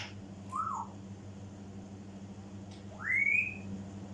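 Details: African grey parrot mimicking indoors: a short falling whistle, then after a pause a louder whistle sweeping upward and levelling off high, over a steady low electrical hum.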